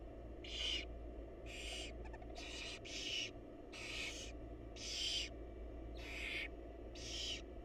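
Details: Barn owl mother with her babies, giving harsh, broadband hissing screeches, each about half a second long, repeated irregularly about eight times, over a steady low hum.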